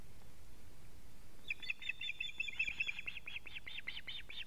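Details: Alarm calls from an osprey on a Latvian nest camera, evening of 19 July 2017, as the male arrives with a living fish. Soft whistled notes build into a fast, louder run of clipped, slightly rising kyew-like notes.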